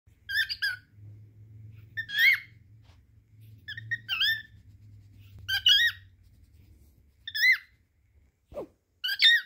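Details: A pet cockatiel singing to a towel gives short, bright warbled phrases, each a burst of chirpy whistles repeated every couple of seconds; cockatiel.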